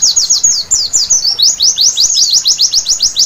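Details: Short stretch of white-eye night song: a tangled high twitter giving way to a brisk, regular series of thin descending chirps, about four per second.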